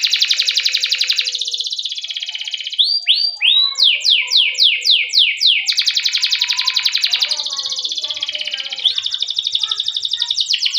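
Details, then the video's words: Canary rolling song used as a lure to train other canaries: long high rattling trills, broken by a series of about eight loud descending swooping whistles, then the fast roll resumes. "Masteran Suara Burung Kenari Ngerol Panjang cuit cuit untuk Pancingan Kenari"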